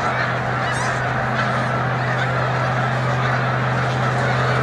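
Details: Migrating snow goose flock at Montezuma, New York, 7 March 2022, lifting off as migration nears its peak; countless honks blend into an unbroken clamour, rapid yelping notes rising out of the din, a low steady drone underneath.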